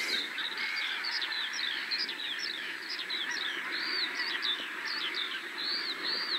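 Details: Common snipe (Gallinago gallinago) in central Poland giving a fast run of short, sharp, high chipping notes, several each second and partly overlapping, over a steady hiss of background noise.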